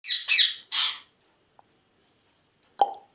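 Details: Indian ringneck parakeet kept as a pet, giving three harsh, rasping screeches in quick succession. A short tick follows after a pause, then one sharp, clipped squawk at the end.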